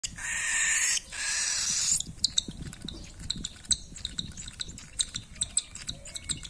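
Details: Cockatiel chick being fed, hungry and begging: a harsh, continuous buzzy rasp for about two seconds, then quick scattered clicks and short high chirps.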